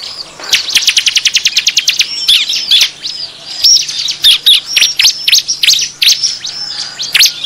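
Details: Noisy 'ribut' lure sound of bar-winged prinia meant to draw wild birds in: a rapid run of about a dozen sharp, evenly spaced ticks, then busy, high twittering with repeated loud chip notes.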